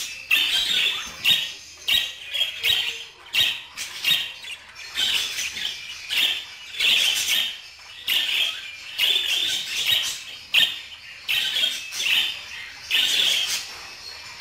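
Budgerigar chatter: a rapid, scratchy, high warble broken into bursts about once a second, mixing squeaks, clicks and buzzy notes.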